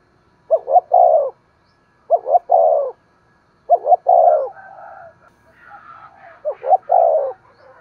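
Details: Spotted dove cooing to trigger calling in a decoy dove: four three-part phrases, two brief rising notes and a long falling coo, evenly spaced, with a faint higher warbling sound near the end.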